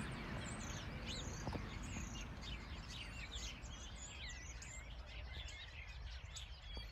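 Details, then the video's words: In spring, a common starling newly returned from the Mediterranean sings from a high perch in a settlement, copying birds such as golden oriole, lapwing and red kite. It delivers a rapid medley of rising and falling whistles, slurs and chatter. "hier oben sitzt ein Star und der schafft das alle möglichen anderen Vögel nachzumachen"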